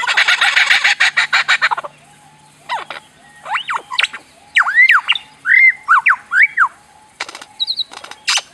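A lyrebird mimics a laser gun. A burst of rapid harsh rattling gives way to swooping, arching 'pew' whistles, several in quick succession, then a final short zap.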